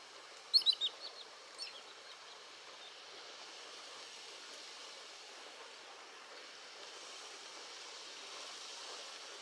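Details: Mongolian lesser sand plover, in Malaysia. A quick burst of four or five short, high chirping notes in the first two seconds, then only a steady outdoor hiss.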